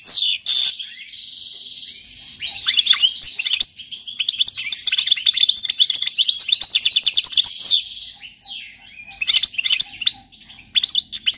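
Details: European goldfinch delivering a flawless teaching song for young birds: sharp opening notes, then sustained lively twittering mixed with buzzy trills and quick chirps, with only brief dips.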